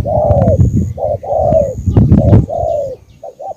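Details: Vietnamese spotted dove (cu gáy) from Cà Mau: long sliding coos alternating with short doubled notes, loud and near, over strong low-frequency rumble and several knocking clicks.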